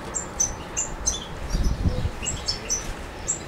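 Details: European goldfinch from Macedonia, 7 July 2011, Suki Makedonski song: short bursts of high tinkling chirps and twitters with a soft low rumble of handling noise in the middle.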